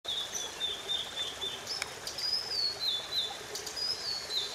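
A Blue-and-white Flycatcher gives thin, high, wavering alarm notes, repeated several times a second, over a steady background hiss.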